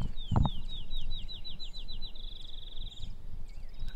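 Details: Field Sparrow at Crex Meadows, Wisconsin, at dawn in savanna-like habitat with scattered trees, sings high sweet notes speeding into a rapid bouncing-ball trill, over steady low wind rumble and a brief thump.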